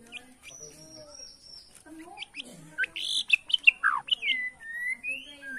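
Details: White-rumped shama (murai batu) of Borneo singing in the bowing 'sujud' style to provoke rivals: varied clear whistles, some long and level, then a rapid burst of sharp rising and falling notes and sweeping slurs.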